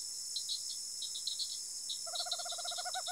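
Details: Rural Araçatuba, São Paulo: a tropical screech owl starts a fast, even purring trill that swells toward its final emphatic notes, with a shrill buzz of insects pulsing throughout.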